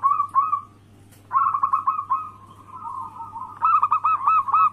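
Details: {'caption': 'Perkutut, a local zebra dove, singing as a lure to provoke rivals: a few short coos, a long drawn-out rolling coo, then a fast run of bouncy repeated notes, over a low background hum.'}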